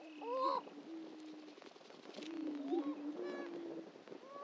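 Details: Several greater prairie-chickens at a historic lek on Dunn Ranch Prairie near Hatfield, Missouri, give sustained low humming tones broken by short, bright, upward-bending yelps.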